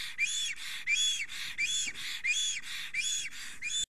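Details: Excited male black stork at an Estonian nest, female nearby, 30 April 2020 late morning. Breathy whistled wheezes repeat rhythmically, alternating high and lower arched notes, before ending abruptly.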